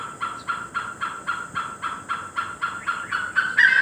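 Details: Great hornbill in Assam, India: loud, harsh honking barks given in a steady series of about four per second, growing slightly louder and rougher at the end, over a constant high insect whine.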